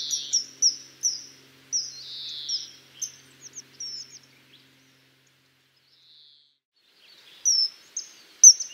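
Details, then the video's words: Common kingfisher sending out shrill, high whistled notes in quick bursts for about four seconds, a quiet gap, then a few more piercing whistles near the end. "O canto do Guarda-rios (Alcedo atthis)"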